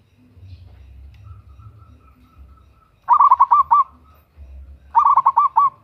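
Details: Zebra dove, local type, female calling male, used as a lure; a faint level series of soft coos is followed by two loud bursts of rapid trilled coos about two seconds apart.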